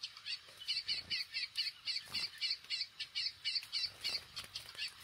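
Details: Chestnut-bellied seed finch singing at a singing competition: a rapid, steady series of bright, high clipped notes, about four per second, over a hissy background with occasional knocks.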